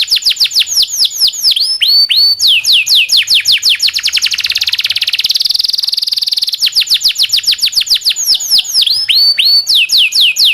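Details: Local canary in long song with rolls, a training model for white-rumped shama and other chattering songbirds: quick falling whistles that merge into a dense buzzy trill mid-phrase before slower sweeps return.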